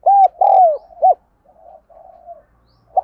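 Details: For training decoy and newly caught birds, a spotted dove coos once: a quick hollow note, a long downslurred coo and a short closing note, followed by soft muttering and a last brief coo.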